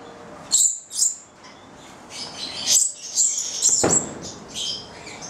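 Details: Pair of captive goliathina Stella's lorikeets, nine months old, bred in Italy, giving separate shrill squeaks and chirps with short silences, plus a low thump partway through.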